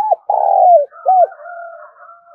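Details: Spotted dove call used to lure birds: a short bowed coo, then a long loud buzzy coo sliding down, then another bowed coo, followed by a soft wavering higher hum and fainter cooing.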